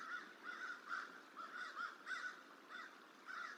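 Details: A crow mobbing a young bald eagle eating on the Decorah hatchery tree, late January; hoarse caws repeated about every half second in short clusters, fairly faint, over a background hiss.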